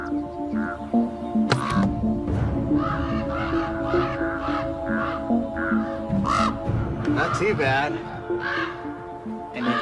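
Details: Parent common ravens in Yellowstone, upset as a climber approaches their active nest with chicks, give harsh, croaking caws in scattered bursts, partly masked by background music and a man speaking.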